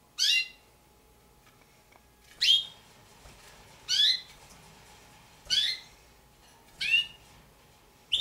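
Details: Young captive Damara red-billed hornbills, a pair of juveniles, give five loud, high squealing notes, each dropping in pitch, repeated roughly every one to one and a half seconds over a faint hum.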